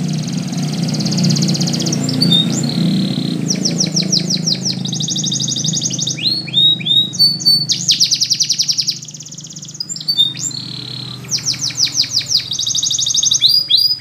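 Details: Spanish Timbrado canary song used for training canaries to sing: high rapid metallic trills in blocks, alternating with rising whistled slides, with a low hum underneath.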